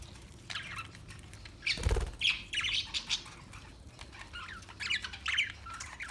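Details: Scratchy parakeet chirps come in small clusters of quick, slurred notes scattered through several seconds, interrupted once by a dull thump, over a low steady background hum.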